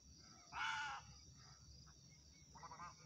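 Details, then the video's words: Egret call: a harsh, croaking squawk lasting about half a second, followed by a shorter, softer rasping call over a low background hum. "صوت طائر الغرنوق، Egrets Birds Sound"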